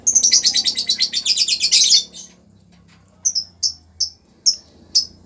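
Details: Lovebird calling: a fast run of high, shrill chirps for about two seconds, then a pause and six sharp, separate chirps spaced roughly half a second apart. Faint low background hum.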